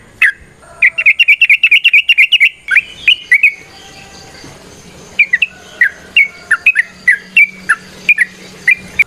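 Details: Ropel-style song of the sooty-headed bulbul, played to get other trucukan singing: an opening rattle of closely packed notes for about two seconds, a brief lull, then sparse, sharp chirped whistles.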